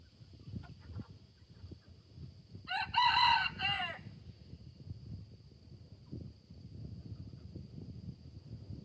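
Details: Rooster crowing at sunrise among ducks and goats: one drawn-out harsh crow lasting over a second, with a steady high hum and low rustling background noise.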